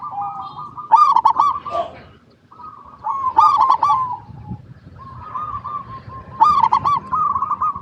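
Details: Local zebra dove singing as a lure for other zebra doves; three loud phrases of stuttered cooing notes followed by rolling trills, spaced about every two to three seconds, with quiet pauses between.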